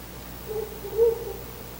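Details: Male Ural owl visiting its nest before dawn on 4 August 2020, calling near a window: two soft, low hoots, the second longer, over a steady hum of background noise.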